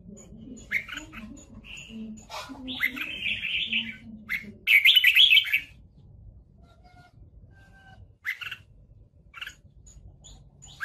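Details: Red-whiskered bulbul used as a lure during fighting, giving scattered whistled notes and one loud chattering burst, over low murmuring background sounds.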